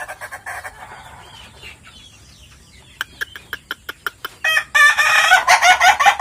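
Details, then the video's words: Meulaboh Ayam Ketawa rooster, a privately kept laughing chicken: a string of sharp clicks, then a loud ngokok crow of rapid, rough, stuttering syllables like a burst of laughter. "NGOKOK AYAM KETAWA MEULABOH"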